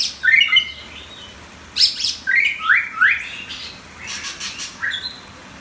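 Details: Caged competition white-rumped shama singing bright whistled phrases with rising slurred notes, interspersed with sharp clicks and brief pauses.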